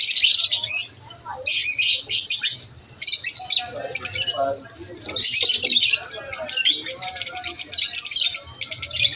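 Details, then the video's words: Lovebirds chirping at lunch time in repeated loud bursts of fast, clicky high chatter, each lasting about a second and separated by quiet pauses. "Lovebirds chirping sound"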